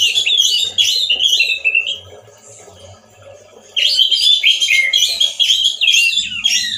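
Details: Vigorous song of a male orange-headed thrush, loud and harsh as in the wild: dense runs of scratchy, tumbling high notes in two bursts separated by a quieter pause, with faint low background noise.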